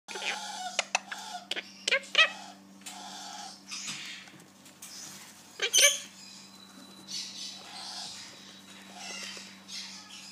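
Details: Monk parakeet, a pet Quaker parrot making friends indoors: sharp, harsh squawks and clicks in short bursts, one loud screech near the middle, with a steady low hum behind.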